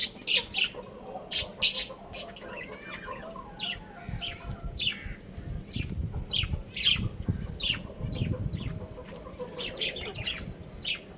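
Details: A young rooster playing on a rooftop opens with loud, piercing chirps. Softer, scattered chirps follow over a low rumbling background.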